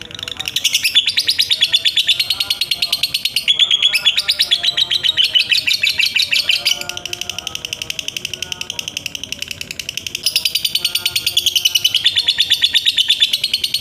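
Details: Long trill from a lovebird, dense fast high-pitched pulses held in extended bouts, briefly changing tone between runs and resuming at full strength.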